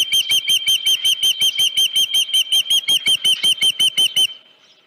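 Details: Rapid, piercing whistled chirps from an osprey at the nest, evenly repeated almost three times a second for over four seconds before stopping. Recorded 31 July 2018 near 9:43 a.m., with a headless fish at the nest.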